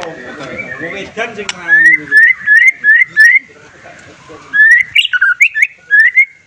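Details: Singing white-rumped shama whose song is said to make any listening shama answer: a run of short bright upslurred whistles repeated about every third of a second, then louder varied chirps, after a rougher opening.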